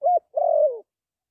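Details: Spotted dove, used as a lure for trapping, giving a brief coo followed by a longer, slightly rolling coo that slides downward at its end; mellow and low with nothing else audible.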